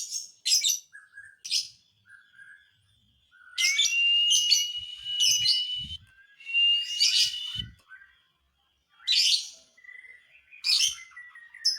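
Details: Lovebird singing to provoke other lovebirds, mixing harsh screechy bursts with long thin whistled tones, separated by short pauses, and faint low knocks in the background.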